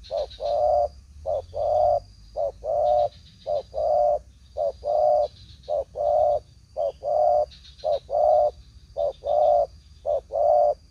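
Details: Two spotted doves lured by a speaker on an afternoon in an oil palm plantation coo in soft, low hooting notes, each about half a second long, repeated steadily in short groups with brief pauses between phrases.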